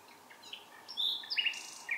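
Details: Bird singing at night: thin, high chirps and short whistled notes, some sliding, scattered over a steady hiss and growing louder toward the end.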